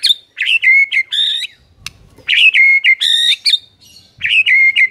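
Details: White-rumped shama master song, played to prompt silent shamas to start singing: bright whistled phrases with rich slurred notes and chattery bursts, in two bouts separated by a short pause and a faint knock.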